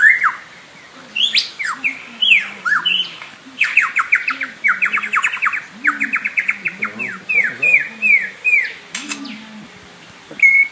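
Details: Lyrebird, known here for copying surrounding sounds, pouring out loud varied phrases: sweeping downward whistles, quick repeated chirps and slurred notes almost without pause, over a faint low hum.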